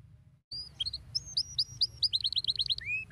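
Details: Canary singing to stimulate other canaries, opening after brief silence with sharp high whistled notes that speed into a rapid rolling trill, ending on a short rising slur; faint low hum underneath.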